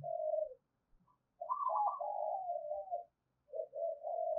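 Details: Spotted dove decoy bird calling to provoke fighting. Quiet, smooth low coos drawn out into a wavering, slightly falling phrase, followed after a pause by a short stuttered coo.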